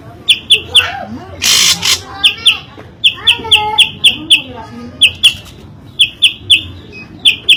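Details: Loud, varied drongo song with crisp, high, repeated chip notes in irregular runs, a long harsh hissing burst near the start and softer warbled phrases woven between, over a low droning background.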